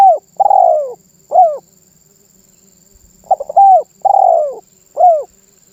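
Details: Spotted dove giving its cooing song, a rhythmic phrase of stuttered short notes, one long falling coo and a closing short coo, repeated twice over a quiet background.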